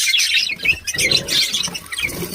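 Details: A group of pet budgerigars producing continuous high, scratchy warbling and twittering, overlapping notes with no pauses.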